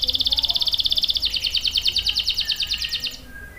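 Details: High canary trill used for training juvenile males: a fast, bright rolling series that slows into spaced, pulsing notes about three per second before fading out.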